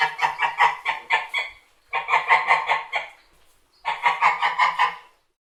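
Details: White geese honking in three bursts of rapid, nasal, harsh calls, each burst of about six to eight notes lasting a second or so, separated by short quiet pauses.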